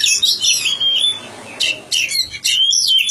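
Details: Magpie-robin in village care singing short bursts of bright, high whistled and slurred notes separated by a brief quiet gap.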